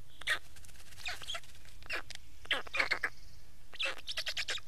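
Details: Black stork calling with rasping, hissy bursts that come in loose groups, ending in a quick series of five or six clipped notes.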